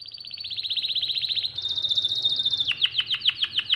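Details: Canary song meant as a tutor recording for young birds, built from fast buzzy trills at one pitch, then a flatter rolling trill, ending in sharp repeated downward-sweeping notes about five per second.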